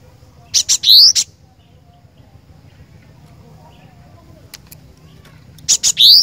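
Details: Chatty 'gacor' song of a cinereous tit: two identical shrill phrases about five seconds apart, each of clipped high notes around a rising whistle, with faint clicks between.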